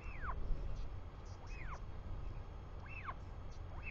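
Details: Royal albatross on a live nest camera in New Zealand, 24 July 2020 at 4:06 pm, father arriving home: clear arched squeals repeating roughly every 1.5 seconds, each sweeping up then sliding down, with wind rumbling underneath.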